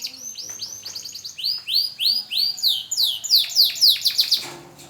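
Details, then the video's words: Young AF canary working on its song after the moult: bright arched whistles that start well spaced, then quicken into a tight rhythmic series before trailing off. "BURUNG KENARI AF BELAJAR BUNYI PASCA MABUNG"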